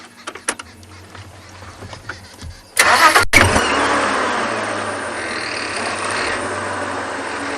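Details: A few soft knocks and clicks, then a car engine starts with a burst and settles into a steady idling roar during an afternoon safari.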